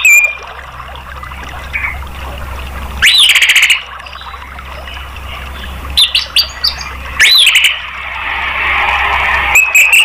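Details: Orange-headed thrush, song used to encourage other caged birds to sing: loud whistled upswept phrases mixed with rapid clicks, broken by pauses, over a low steady hum.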